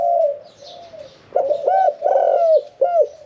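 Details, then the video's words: Medium-voiced spotted dove in a cage cooing "khan yon 1 kuk": quiet coos, then three loud hollow hoots, the middle one drawn out and falling, the last short and bent. "ฟังเสียงขันนกเขาใหญ่ { ขันโยน 1 กุก} ,{นกเสียงกลาง}"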